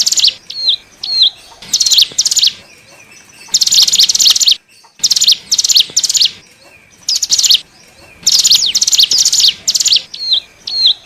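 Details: Lure sound of a hill prinia for drawing in wild birds: repeated bursts of very high, rapid, sharply modulated chattering notes, some short single chips between, pauses of one to two seconds.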